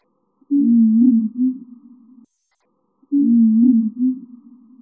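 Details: One motif from a European robin's nine-motif song, slowed far down so it sounds like a low, wavering, hum-like warble; the same phrase plays twice, about three seconds apart.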